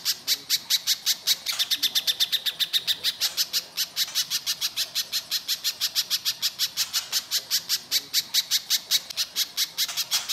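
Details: Little spiderhunter lure recording, harsh and lively, to provoke other birds into answering: a long, unbroken stream of sharp high chips, about six per second, steady and insistent throughout.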